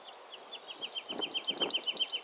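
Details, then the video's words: Woodlark song building up: spaced fluty notes quickly accelerate into a rapid, repeated series of short downslurred whistles, growing louder, with some low rumbling background noise. "Woodlark / Lerka"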